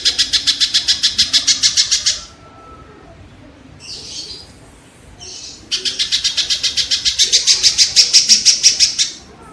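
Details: Kingfisher used as training material for cage songbirds: a fast, regular, high-pitched rattle for about two seconds, a pause with a couple of softer notes, then a longer rattle that grows slightly louder.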